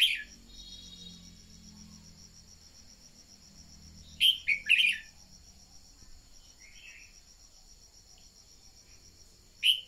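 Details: Red-whiskered bulbul used as a decoy to stimulate birds to sing: one short whistled phrase of three sliding notes mid-clip, plus single notes at the start and end, against a constant shrill insect trill.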